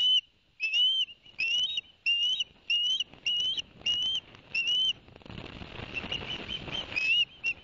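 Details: Ospreys at Barnegat Light, New Jersey, on 11 September 2021, as the male brings two fish to the young; a run of eight rising whistled chirps about every 0.6 seconds, then splashing water with softer calls.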